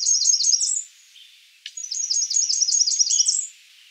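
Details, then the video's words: Two runs from a Blackburnian warbler: a short burst of four high notes, then a longer even series of about nine very high, sharp repeated notes, over light hiss. "Blackburnian warbler calling"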